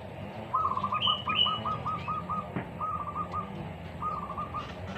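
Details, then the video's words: Spotted dove, heard in a match of a lure bird against a newly trained bird: a quick run of short, even rolling coos in two bursts, with thin higher chirps above and a steady low background rumble. "TEKUKUR PIKAT VS TEKUKUR AJARAN BARU"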